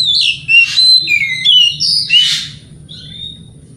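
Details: Oriental magpie-robin lure song that provokes other magpie-robins: loud, clear whistled notes sliding up and down, broken by grating buzzy bursts, a fluent varied phrase fading near the end.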